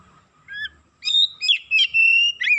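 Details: Excited Oriental magpie-robin (kacer) delivering a short burst of song: a faint whistle, then loud sweeping notes running into a sustained, steady high whistle.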